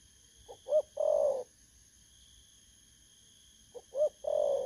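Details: Wild-caught spotted dove recorded on 19 August 2024, giving two mellow cooing phrases, each a soft short note, then a rising two-part coo and a long, slightly falling hoarse coo. A faint steady high electronic hum runs throughout.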